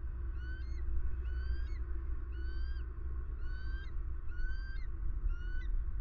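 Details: Calling eagle at a pond in Southwest Florida, captured by camera on 23 February 2020: a steady series of six sharp, rising whistled chirps, roughly one each second, with a persistent low droning hum underneath.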